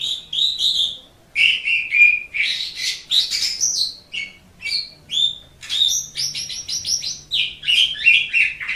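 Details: Asian pied starling tutor recording for caged birds: long, lively song of rapid clicks, rasps and whistled slurs, repeated in quick bursts with short gaps.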